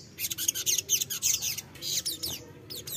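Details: Crimson sunbird singing a lure song to get untrained birds to respond: dense, very high chattering twitters in quick clusters with brief pauses between them.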